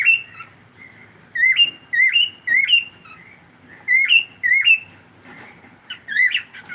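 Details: Pet cockatiel calling during a live stream, a series of short rising whistled chirps, several in quick succession, with brief pauses between groups.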